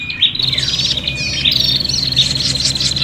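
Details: Short burst of noisy, combative prinia calls used as a lure: piercing chips and thin buzzy trills overlapping densely at a high pitch, with a low hum behind.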